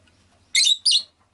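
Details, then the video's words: Pet rosy-faced lovebird giving two loud, sharp, high chirps in quick succession, each buzzy and harsh, with a faint low hum underneath. "Lovebird Chirping Sounds"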